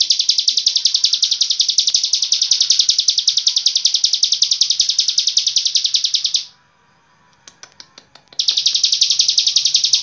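Hill prinia in a long-breath song: a high, dense, buzzy trill with about three or four pulses a second, held unbroken for over six seconds, then resumed after a pause.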